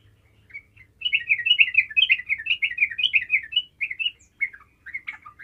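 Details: Yellow-vented bulbul in lively song meant to draw a response from silent birds: a continuous rollicking string of liquid, bubbling notes lasting about three seconds, followed by a few shorter broken phrases.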